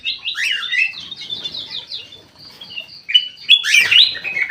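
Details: Caged bulbul singing eagerly in an aviary: a rapid chattering run of notes, a quieter stretch, then a loud burst of rich warbled whistles.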